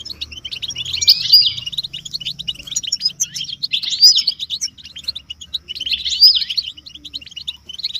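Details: European goldfinches in a motivating chorus for caged males; steady high twittering broken by three louder liquid trilled bursts about every two and a half seconds, with a low hum underneath.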